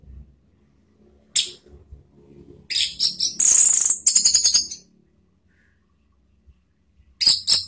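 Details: Orange-headed thrush song used as a lure to provoke other birds into singing: bursts of bright, very high, buzzy and whistled notes, with a sustained shrill trill mid-phrase, then a pause and another high burst; faint low hum behind.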